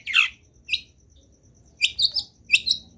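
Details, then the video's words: Long-tailed shrike in energetic full song packed with fill-in phrases, used as a training recording for other shrikes: short, sharp, high chattering bursts and scratchy notes separated by brief pauses, with a faint steady high tone in the background. "CENDET GACOR BIKIN BURUNG CENDET LAIN IKUT BUNYI - MASTERAN CENDET GACOR FULL ISIAN"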